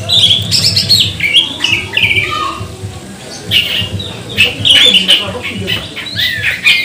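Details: Magpie-robin song used as a lure to provoke other birds into singing: loud varied whistled phrases, slurred and rising, in short bursts, over a steady low hum.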